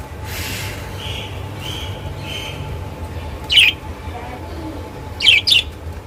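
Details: Pet lovebirds giving short squeaky chirps, two sharp bursts near the middle and end, with softer warbling notes early on over a steady low hum.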